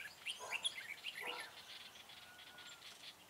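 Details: Red-whiskered bulbul used as a decoy while trapping wild bulbuls on 4 February 2017: a quick burst of bright chirped and warbled notes in the first second and a half, then only a steady background hiss.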